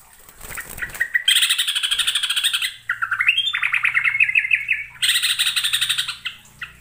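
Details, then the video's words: Yellow-vented bulbul (trucukan) of East Javan origin, a lure recording of lively full-variety song: loud, rapid chattering and warbled phrases in dense bursts, some clipped, repeated notes, with a brief pause near the middle and a low hum beneath. "KICAU TRUCUKAN PIKAT GACOR FULL ISIAN (YELLOW-VENTED BULBUL)"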